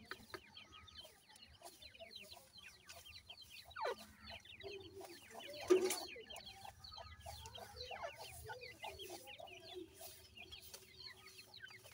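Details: Grey francolin chicks being fed by their mother, calling to her: many quick, high, thin chirps overlap almost continuously, with soft low clucks and one louder burst near the middle, all recorded fairly faintly.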